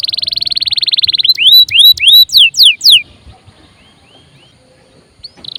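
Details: Canary song for coaxing other birds to sing: a fast high buzzing trill, then a series of loud looping whistled notes, a quiet pause with soft notes, and a brief trill resuming.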